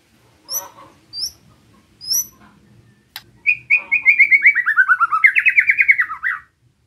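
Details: White-rumped shama song used to provoke other shamas: a few scattered high chips, a sharp click, then a long steadily repeated series of slurred notes slowly dropping in pitch before rising again.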